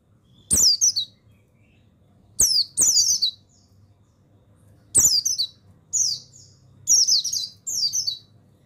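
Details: Training song of a male buxtoni mountain white-eye meant to get lazy birds singing: sharp clicks followed by high, sweeping, descending chirp phrases, in about six bursts spaced one to two seconds apart.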